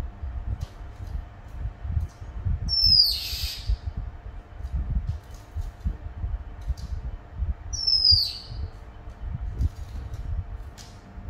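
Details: Red-whiskered bulbul, described as still wild-spirited and not yet fully used to pellet feed, whistling repeatedly: two short, bright, downward-swooping whistled notes about five seconds apart over a steady low rumble of background noise.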